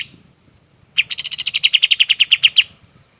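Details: Golden-bellied gerygone song, used as a tutor for other birds: after a short pause, one burst of about fifteen quick, sharp, high chips lasting under two seconds, delivered at an even pace.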